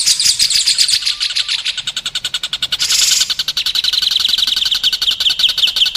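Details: White-rumped shama masteran for contest and juvenile birds: quick, sharp ticking notes in a fast run, interrupted by a short hissing burst midway, then continuing as a brighter, slightly lower rolling trill.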